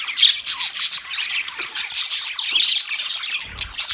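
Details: Budgerigars chirping: a dense, continuous chatter of high squawks, buzzy warbles and short tweets from several birds overlapping without pause.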